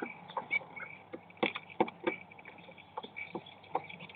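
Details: Common starlings contesting a nesting place in snow, 22 March 2019: sharp clicks and short rasping notes alternate with brief whistled squeaks, several loud snaps standing out.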